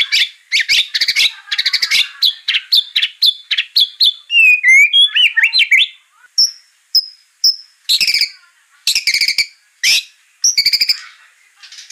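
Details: White-rumped shama song used to provoke a bird into singing: a varied run of rapid chattering notes, a sequence of sliding whistles, three clear high piping notes, then loud harsh bursts.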